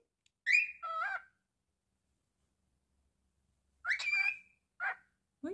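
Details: Pet cockatiel talking: two short mimicked phrases, a rising whistled syllable then a wavering pair of notes, long silence, then further bursts of imitated speech; a person says "good boy" and "good morning" nearby.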